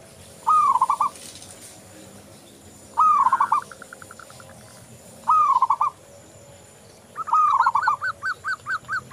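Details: Lively local zebra dove (perkutut lokal) song used as a lure: four trilled cooing phrases, each a quick falling run of notes, spaced about two and a half seconds apart, the last trailing into evenly spaced single notes.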